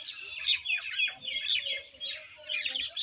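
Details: Common Indian myna giving rapid, jumbled chatter of squeaky whistles and harsh chirps about twice a second, with faint low rumbling noise in the background.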